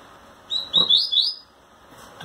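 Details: Captive double-collared seedeater male courting a female with wing trembling; a short burst of four high sliding chirps, with a faint low knock in the room.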